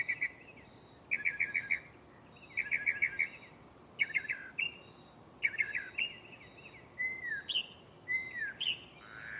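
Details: Mockingbird in a tree nearby at night, shuffling through varied mimicked sounds: short buzzy trilled bursts separated by pauses, then swooping whistled slurs and a rising squeaky note.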